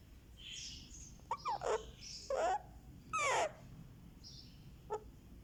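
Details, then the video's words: Indian ringneck parakeet chick aged one month, head being massaged, utters a scratchy squawk, a harsh downslurred call and a brief click, with soft high bird chirps behind. "Rex the Ringneck baby gets a Head Massage | Candy makes sweet sounds"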